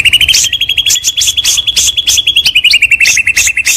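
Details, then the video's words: White-rumped shama, a champion singer in full vigorous song: a rapid run of bright, sharp notes repeated several times a second at a steady high pitch, each note ringing with upper overtones. "Materi sang juara || Murai batu Istimewa Gacor"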